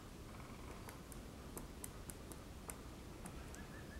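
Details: Great spotted woodpecker knocking at a pine cone on 28 February 2022: sharp, dry, irregular taps, about nine in four seconds, heard faintly over a steady low hiss.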